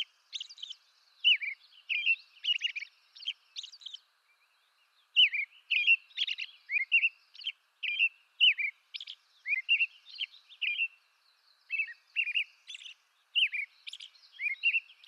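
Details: American robin, eastern North America, in a long continuous song: warbling whistled phrases, some slurred downward, and wheezy high notes, repeated many times over about fifteen seconds with one short pause.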